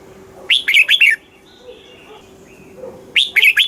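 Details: Red-whiskered bulbul, Thailand, southern master-style song played to rouse caged birds and teach youngsters: a crisp phrase of four quick warbled notes, faint soft chirps, then the phrase starting again after about two and a half seconds.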